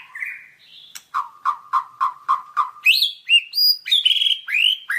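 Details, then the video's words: White-rumped shama singing for masteran use: a short whistle, then six evenly spaced low notes, followed by loud rising and falling whistled phrases higher in pitch. "Masteran Suara Burung Murai Batu"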